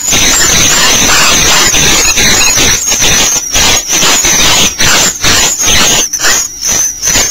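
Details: Bluebirds at a nest on day 8: a dense, loud, almost continuous wash of thin, high squealing notes with broad rasping bursts, rapid and uneven, over low background rumble.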